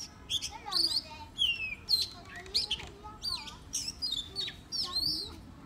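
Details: Caged Oriental magpie-robin decoy singing a varied free-form song of loud whistled slurs, swoops and crisp chips repeated in short phrases roughly every half second.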